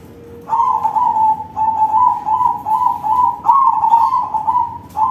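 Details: Loud crossbred zebra dove used to provoke other zebra doves into singing: an almost continuous stream of bubbly, trilling coos at a steady pitch, broken by short pauses, over low background noise.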